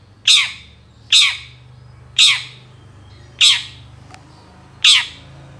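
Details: Long-tailed shrike lure sound for shrikes reluctant to sing: five rough, rasping squawks at uneven gaps of one to one and a half seconds, with a soft click between two of them.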